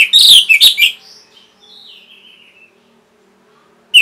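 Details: Orange-headed thrush song used as a training and lure recording to stimulate caged birds to sing. A loud, dense burst of sharp, ringing notes in the first second, then soft, thin whistles and a final bright note.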